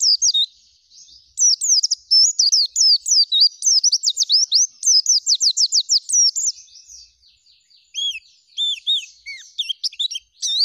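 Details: Oriental white-eye (pleci) singing gacor, full of fills: a long, rapid, rolling chain of high looping whistles, then softer twitters and several clear, downward-curving whistles toward the end.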